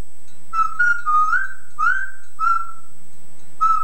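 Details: Male pet Yellow-naped Amazon parrot imitating a woman's singing, recorded on old tape: a flowing line of smooth, held tonal notes at a fairly steady pitch, joined by gentle slides, under faint hiss.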